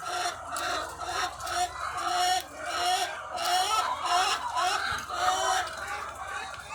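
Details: Farm of thousands of laying hens. Rhythmic surges of overlapping nasal calls and clucks rise and fall every second or so, with bright tonal notes standing out over the crowd.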